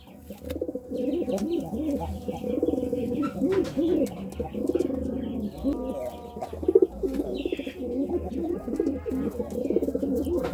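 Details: Pigeons cooing during courtship: dense, overlapping low throaty coos roll on continuously, with a steady low hum underneath.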